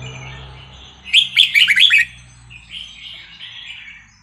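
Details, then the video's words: Wild Vietnamese red-whiskered bulbul singing, played to train young caged birds: a loud burst of quick chirpy, warbled notes lasting about a second, between softer rambling warbles and a steady high electronic whine. "ลูกนกกรงหัวจุกเวียดนามป่า ใว้เปิดฝึกหัดลูกนกฟังแล้วคึกคัก"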